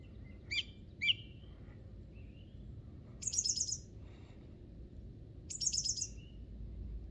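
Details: Song thrush in spring song on Monte Baldo, Trentino, Italy: two short sharp notes, then a rapid clicking rattle, later repeated almost exactly, with faint whistles between and a low background hum.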